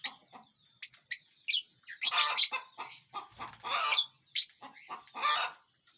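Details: Lovebirds eating and flying in a large aviary: scattered high chirps grow into harsher overlapping chatter and squawks, then more single shrill notes.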